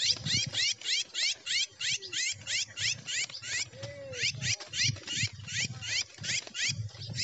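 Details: Red-cowled cardinal in gavião pegada livre song style, pouring out rapid, evenly spaced high slurred notes for the whole stretch, with a brief lower whistle midway and faint low rumble beneath.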